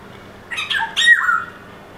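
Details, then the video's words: Black-hooded oriole, drawn in by a person whistling an imitation of its call, gives a quick run of harsh, nasal notes ending in a downslurred squawk, all within about a second, against a quiet background. "Black Hooded Oriole Call"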